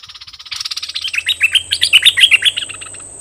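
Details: Decoy bulbul calling to wild birds: a soft rapid rattle builds into a run of loud, bouncing whistled notes, about seven a second, over a steady high hiss and low hum.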